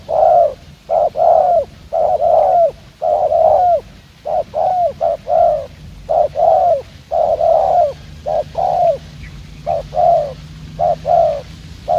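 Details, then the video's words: Spotted dove, a handsome wild-caught young bird used in decoy hunting, giving the fast 'gù' cooing style: low, hoarse coos in quick pairs and short bursts, about two dozen notes with brief gaps between groups, over a faint rural hum. "Gác Cu Gáy . Bổi Đẹp Trai Có Nước Gù Tốc Độ."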